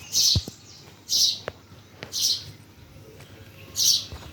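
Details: Chirping birds at Bhimtal give four bright, high, slightly buzzy chirps at uneven intervals, with a couple of faint clicks between them.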